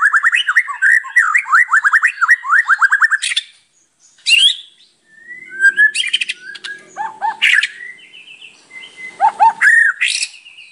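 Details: White-rumped shama singing a rich, varied song: a rapid run of repeated slurred whistled notes for three seconds, then after a short pause loud sweeping whistles, sharp clicks and chattering phrases with buzzy notes.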